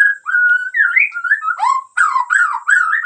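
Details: White-rumped shama (murai batu) of the Medan type singing vigorously. Clear whistled notes slide up and down, then turn into fast buzzy, warbled phrases repeated in quick bursts, with no other sounds.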